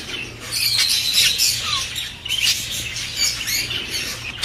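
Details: Budgerigar song used to stimulate mating. Fast, uneven chirps and warbled notes come about four per second, with one short falling whistle, over a low steady hum.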